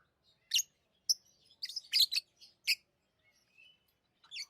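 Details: Tame lovebirds chirping in a lively burst of harsh, high, clipped notes, several in fast succession, followed by a short pause, a brief whistle and a final rising squeak.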